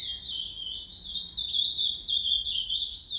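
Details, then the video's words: Trinca-ferro, the Green-winged saltator, recorded at 10:40 on Tuesday, 29 December, singing boca mole song: an unbroken, high, rippling warble of tightly packed notes with a faint low background hum. "Trinca ferro boca mole boi"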